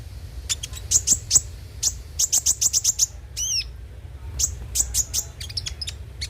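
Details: Konin (kolibri ninja) song played to encourage singing: rhythmic series of very high, sharp chips, one zigzag looping whistle, then further rapid chip runs, over a faint low hum.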